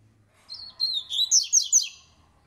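A black-collared seedeater gives a brief, bright warbled phrase, opening with a thin rising whistle and ending in three sharp, emphatic notes. A faint low hum lies beneath.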